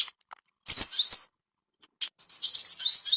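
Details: Ashy tailorbird master song meant to bring on breeding condition: two short bursts of high, rising chirped notes with a brief silence between them.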